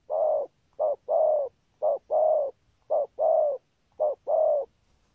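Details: Repeated deep coos of a spotted dove with a good 'rước' and 'thúc gù' pattern, each phrase a short note then a longer slightly falling one, about four phrases in five seconds.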